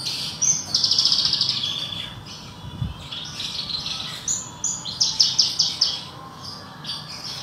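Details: Horsfield's bush lark, a kept cage bird, singing from below while being sunned: a fast, varied run of high, thin twitters, buzzy trills and sharp chirps in short bursts, with a soft low thump partway through.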